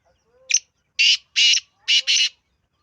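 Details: A black francolin rasps out its call: a sharp introductory note, two long grating notes, then a closely paired harsh double note, against a quiet background.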